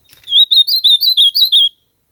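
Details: Ultramarine grosbeak singing in nature: one bright, warbled phrase of about nine quick, slurred notes that rise and fall, lasting just over a second, with clean silence before and after.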